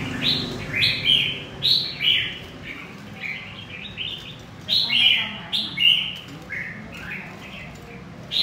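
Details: A wild-caught red-whiskered bulbul from central Vietnam sings crisp, rollicking whistled phrases in loud bursts, with short pauses between them and a faint low hum behind.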